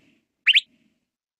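Northern Mockingbird giving a single quick, bright two-part phrase, high and slurred, lasting under a quarter second; otherwise quiet.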